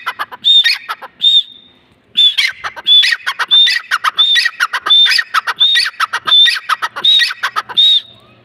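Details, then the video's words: A grey francolin calls loudly and harshly, with shrill squeaky notes repeated about once every second in a steady, insistent series. "teetar ki awaz | titir | grey francolin voice"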